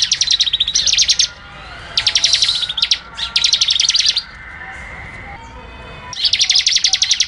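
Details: Prinia singing in bursts of rapid, sharp, high chipping notes in the dense 'ngebren' style, broken by short pauses, with faint softer background sounds between bursts.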